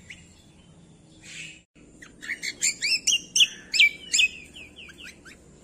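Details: Greater green leafbird song used as a training recording to prompt lazy songbirds to sing: a faint buzzy note, then a quick series of loud whistled, sliding chirps and rising notes, varied and energetic, with low background hum.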